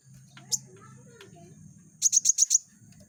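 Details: Sunbird, used as a tutor for other cage birds, gives one sharp high chirp, then after a pause a rapid burst of five piercing, evenly spaced notes, with faint low murmuring and hum underneath.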